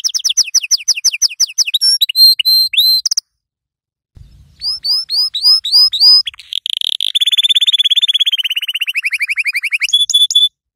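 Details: Song of a yellow canary for teaching young birds: rapid slurred chirps and clipped notes, a short silence, loud curved whistles repeated about twice a second, then a long, fast, even roll.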